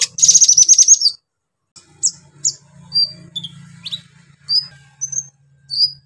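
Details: Brown-throated sunbird singing to rouse other sunbirds: a rapid rattling trill of high notes, then spaced, thin, sharp chirps over a faint low hum.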